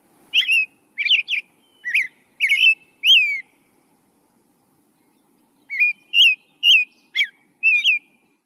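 An American Robin sings clear, whistled phrases that rise and fall, about six in a quick run, a pause, then another run. No other sounds.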